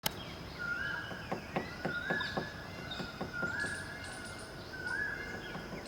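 A woodpecker knocks in short, uneven bursts of sharp taps, about four a second. Long, steady whistles from another bird and faint background hum run underneath.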